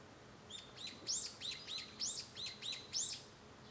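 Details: Japanese bush warbler heard from a room at home on 5 May 2013, giving a rapid run of about eight high, sharp, repeated notes, each with a bright upward flick, evenly spaced over under three seconds.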